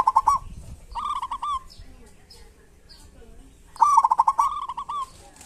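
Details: Indonesian local zebra dove used to coax reluctant doves into singing; a short stuttered burst, a phrase of three hooked whistled notes, a quiet pause, then a long rapid run of bubbling notes.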